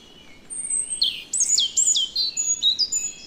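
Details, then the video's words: European robin filmed in the Netherlands, singing a rapid, high, sparkling phrase of upslurred and downslurred whistles and twitters lasting about two seconds, with faint background chirps. "One Hour Relaxing Birdsong: European Robin"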